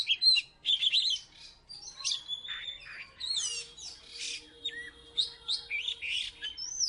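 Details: Singing Oriental magpie-robin from Salatiga, former third-place champion: rich whistled phrases, some sliding down in pitch, mixed with fast twittering trills and brief pauses.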